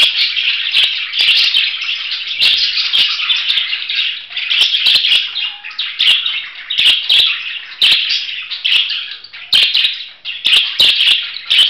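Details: Budgerigar chattering nonstop in a bright, buzzy warble, phrases rising and falling in loudness every second or so, broken by frequent sharp clicking ticks.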